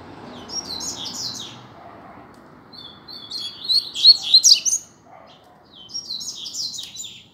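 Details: Singing-contest recording of a captive Double-collared seedeater: three high, fast twittering phrases, the middle one loudest with sharp emphatic notes, separated by quiet gaps and light background noise.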